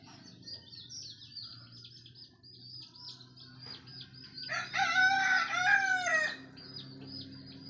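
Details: Rooster crowing at daybreak, marking that morning is near. A loud, harsh, multi-part crow lasts nearly two seconds midway. Constant high-pitched rapid chirping fills the background before and after.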